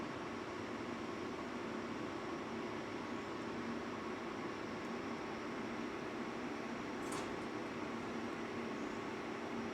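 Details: Constant broadband hiss like machinery or air conditioning, with no animal voice.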